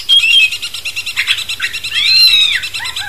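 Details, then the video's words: Cucak cungkok bulbul song as a master recording to excite a magpie-robin: fast, pulsing trill, then a long arched whistle and short dropping whistled notes. "Masteran cucak cungkok bangkitkan emosi kacer"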